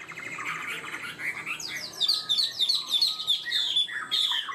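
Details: A caged Chinese hwamei, said to sing high and start quickly and steadily, sings a loud, rich run of varied phrases, then quick bright whistled notes repeated in a fast series.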